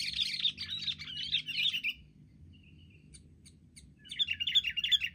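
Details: Wild sooty-headed bulbuls mobbing together, with loud rolling bubbly chatter for two seconds, a near-silent pause with faint ticks, then the chatter bursts out again.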